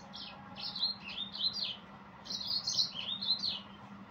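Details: Yellow-fronted canary giving a varied high song of slurred, warbling phrases in two bouts, notes rising and falling quickly, over a quiet low background hum.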